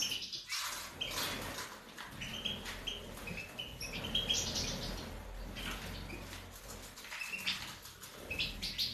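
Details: European goldfinch of the subspecies major, recorded in 2019, giving short chirping notes, scattered and irregular, over steady low background noise.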